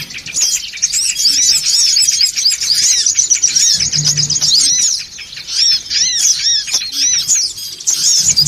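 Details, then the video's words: Songon bird lure sound: many shrill overlapping chirps and looping squeaks form a restless noisy chorus, dipping briefly near the five-second mark, with a faint low hum. "SUARA PIKAT SONGON OTONG (RIBUT)"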